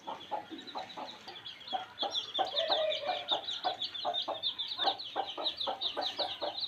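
A brood of chicks peeps constantly in high, thin, overlapping cheeps, several each second, with lower soft clucks pulsing underneath.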